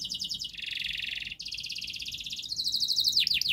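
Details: Domestic canary in full, long continuous song used as a model to train young canaries: rapid buzzy trills and dense chattering tours around 2–8k, switching between fast repeated notes and a low rolling trill, ending with descending slurred whistles.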